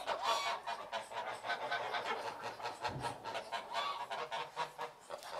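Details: A flock of geese calling together: rapid, rough honks overlapping in a busy, uneven stream, loudest at the start and pulsing on without pause.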